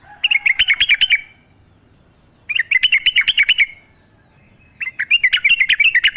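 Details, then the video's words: Sooty-headed bulbul singing in a wild, natural setting, used to spur captive bulbuls into song: three bursts of rapid, bubbly warbled notes about a second long, each followed by quiet pauses. "trucuk gacor ngalas full suara alam"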